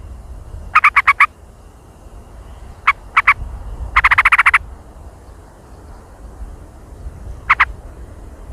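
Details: Sooty-headed bulbul singing in the jontrot style: short bursts of rapid, sharp chattering notes, first a quick cluster, then a pair, then a longer run of about eight notes and a final pair, over a low background rumble.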